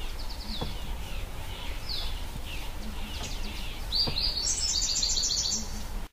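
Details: White-bellied sunbird singing high, thin notes: short descending slurred whistles at first, then a rapid high twittering trill near the end, over a steady hiss of background noise with low hum.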